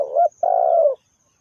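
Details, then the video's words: A single loud phrase from a spotted dove kept as a trapping lure: a brief rising coo, a tiny gap, then a long purring coo that slowly falls away. "The Sound Of Spotted Dove is so good"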